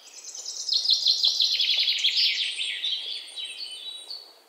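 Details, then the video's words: Bright, rapid bird chirping: a dense stream of high twittering notes and quick trills, strongest in the first half and gradually quieting. "A bird chirping like sing a song, bird chirping sound, singing bird"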